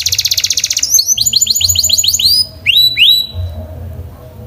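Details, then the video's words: Canary singing: a fast, high buzzy trill, then a series of sweet, upslurred whistled notes, then two louder rising sweeps, all clear and bright over a faint low hum. "Canary Singing"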